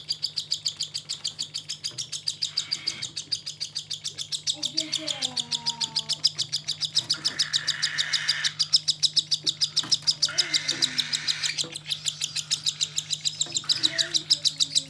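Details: A cockatiel chick begs during hand-feeding with rapid, raspy, rhythmic pulses repeated several times a second.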